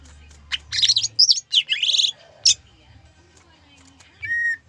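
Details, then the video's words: Gayo-type greater green leafbird song with zebra dove imitation. Scratchy, high chattering bursts are separated by short pauses, and the clip ends with a single clear whistled note. A soft low hum runs underneath. "Cucak ijo gayo Isian perkutut"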